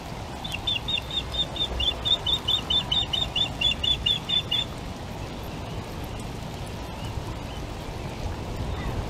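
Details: Male osprey bringing the first fish to the breeding female at a Welsh nest at late breakfast time on 12 April. He gives a rapid run of high, sharp whistled chirps for about four seconds over a steady low wind rumble.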